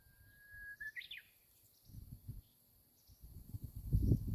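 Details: Japanese bush warbler song at Ojika near the airport, on a March morning among daffodils: a steady held whistle leads into a brisk two-part upward-flicking flourish, with low wind buffeting throughout.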